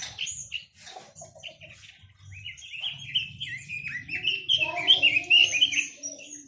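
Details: Chinese hwamei song: scattered high chips and short whistles give way to a sustained, loud warbling run of slurred, bubbling notes in the second half.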